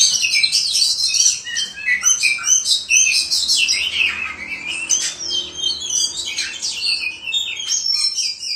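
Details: Ngobra-style song of a white-rumped shama (kacer): a continuous, energetic stream of high whistled notes, fast chatters and sliding phrases, delivered without pause and varying constantly in pitch.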